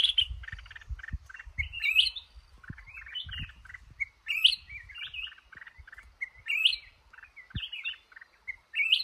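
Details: Red-whiskered bulbul, a male held in a trap in a cashew orchard, repeating a lively warbled phrase about every two seconds. Each phrase has clear whistles and ends in a sharp high note. Low clattering underneath.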